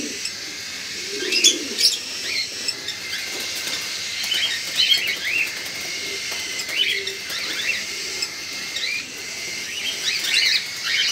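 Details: Cockatiel; begging calls; chicks begging to be fed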